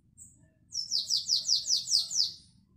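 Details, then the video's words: Classic Belgian song from a canary, recorded 2021: a faint thin note, then a clear roll of about seven even, descending slurred whistles, evenly spaced and bell-like, fading out at the end. "CANTO BELGA CLÁSSICO 2021"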